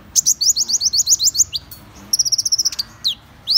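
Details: A fast series of downslurred high notes from a Van Hasselt's sunbird, then a pause, a rapid even trill of ticks, and a couple of swept whistles to close.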